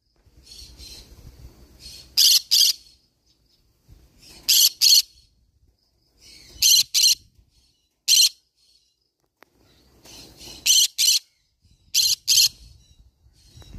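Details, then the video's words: Green-cheeked conure parrot screeching loudly: harsh, shrill squawks in doubled bursts, pairs of sharp shrieks returning every two to four seconds, with soft rustling and low rumbling noise in the gaps. "green cheek conure parrot sound"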